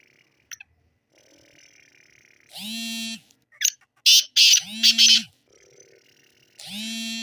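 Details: Black francolin giving a burst of four loud, harsh notes in the middle. Before and after come repeated long, drawn-out nasal tones, and a few sharp clicks are also heard.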